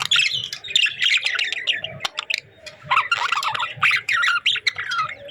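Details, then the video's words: Playful budgies warbling and chirping: a rapid, varied chatter of squeaky, buzzy and whistled notes with short gaps. "Budgies Chirping Sounds"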